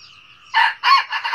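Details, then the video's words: Crowing red junglefowl, heard only in part: two loud, coarse bursts and the start of a third, after a quiet stretch of faint thin bird calls. "tiếng gà rừng gáy cà lắm"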